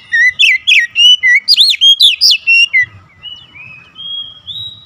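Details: Agitated oriental magpie-robin song: a fast series of loud, shrill whistled phrases rising and dipping sharply for about three seconds, then softer drawn-out thin whistles trailing off; light low rumble behind.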